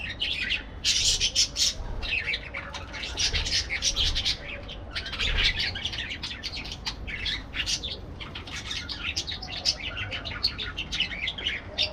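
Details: Parakeets chattering continuously: dense, overlapping high chirps and squawky notes in rapid bursts, with several birds calling at once and a low rumble beneath.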